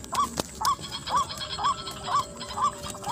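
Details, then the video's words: Luring white-breasted waterhen in a paddy field: even series of brief curved honking notes, roughly two per second, over a steady background of high insect buzz and occasional clicks. "pikat ruak ruak di sawah"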